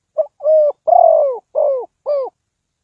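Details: Low, mellow phrase from a spotted dove used to lure birds into a trap: a quick double note, a long vibrating coo, then two shorter descending coos, clearly recorded without background noise.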